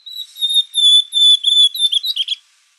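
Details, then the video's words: Blue-black grosbeak song: a run of clear, high whistled notes, each held briefly with short gaps, ending in a quicker, warbled jumble of lower notes; no other sounds. "AZULAO, TWA TWA MONTAGNE"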